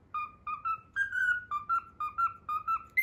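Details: Captive cockatiel singing the Pythagora Switch theme it has learned; pure whistled notes in quick rhythmic succession, about two per second, with a longer held note mid-phrase, indoors with no other sounds.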